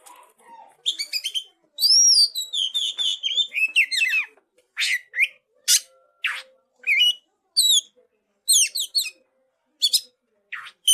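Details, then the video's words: Young oriental magpie-robin of forest origin from Cililin, singing an isian-style song: a rich, varied run of clear rising and falling whistles, buzzy trills and sharp chips in quick bursts separated by short pauses. "Suara Burung : Kacer Muda Hutan Isian cililin"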